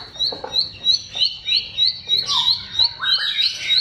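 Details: Ciblek, the bar-winged prinia, singing filler phrases meant to coax mute birds into song: high, thin chirps repeated about three times a second in an even series, with faint lower twitters underneath.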